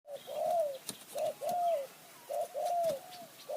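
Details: Spotted dove used as a decoy to lure wild doves in high forest near Kanchanaburi, Thailand, with call styles named khu ang, nun ang and kham khu kham. Mellow coos come in paired phrases, a short note then a longer downslurred one, repeated about every 1.2 seconds over faint rustling.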